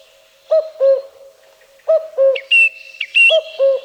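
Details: Common Cuckoo among forest birds of Wielkopolska National Park: soft, low two-note 'cu-coo' phrases, each falling, given three times with gaps. A song thrush sings higher, clear whistled and trilled phrases alongside.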